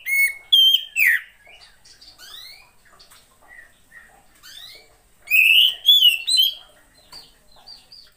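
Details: Female Oriental magpie-robin, a lure for reluctant male singers: loud slurred whistles at the start and again after five seconds, with thin rising high notes and soft chips scattered between.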